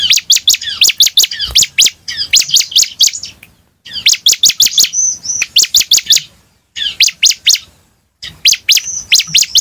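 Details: Vigorous bar-winged prinia song for prompting responses: fast, high-pitched chirp series with occasional thin whistled notes, grouped into bursts separated by brief silences.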